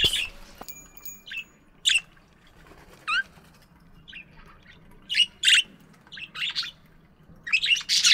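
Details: Chirping budgerigars in a morning aviary: a mix of scratchy squawks, short rapid trills and bright chirps, irregularly spaced, with a faint low hum behind.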